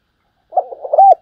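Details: Decoy spotted dove in 'thúc gù' style: low, soft stuttering notes build into a single loud, drawn-out coo that bends downward at the end. The phrase is brief and clear against silence.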